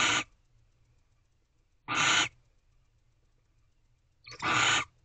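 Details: Female barn owl in a nest box at night, 16 April 2023, wary of someone just outside on the box: three loud rasping hiss-screeches, each under half a second, spaced about two seconds apart against near silence.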